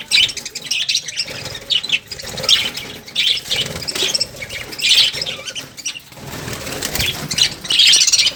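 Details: Lovebirds calling, a dense chorus of harsh, high squawks and chattering chirps overlapping continuously, with louder screeching bursts every second or so, from many birds together.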